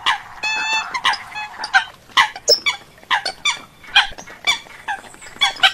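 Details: Eurasian coots recorded abroad. A drawn-out nasal buzz opens, then a busy series of sharp, overlapping clucking notes follows at an uneven pace.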